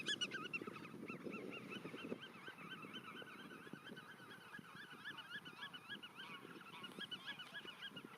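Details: Black-tailed godwits in a nature reserve: nasal, wavering calls repeated steadily in quick succession throughout, several birds overlapping, over a constant low rumbling background.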